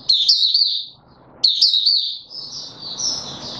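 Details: White-eye male singing on 31 December 2021: two high, twittering warble phrases ending in a thin drawn-out whistle, with a soft rushing noise behind.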